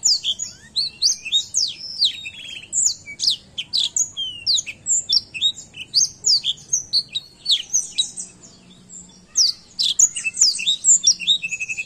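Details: Long, busy tutor song from a black-throat: dense high chirps, whistled slurs and brief buzzy trills pouring out almost without pause, easing briefly before a final rapid burst.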